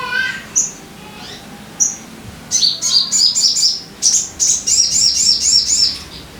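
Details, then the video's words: Crimson sunbird lure song for prompting caged birds to sing: a few isolated high notes, then two bursts of fast, bright, evenly repeated high chips, about four per second, separated by a brief pause. "Pancingan Suara Burung Sogon Biar Cepat Gacor"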